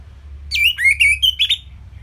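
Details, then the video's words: Orange-headed thrush, Singaraja in northern Bali, singing a simple training phrase: a falling whistle, a low slurred note, then level and slightly rising whistles ending in brief higher notes, over a low hum. "Kicauan Simpel ANIS MERAH Gampang Untuk Ditiru Sebagai Masteran"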